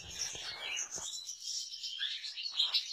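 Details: European goldfinch singing: a dense, continuous twittering jumble of high notes with buzzy trills and short rising whistles, a few clicks at the start.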